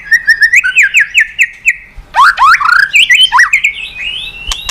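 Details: A lively white-rumped shama song, meant to provoke other birds: a steady row of evenly spaced rising whistles, then a jumble of deep swooping notes and a long upward-sliding whistle.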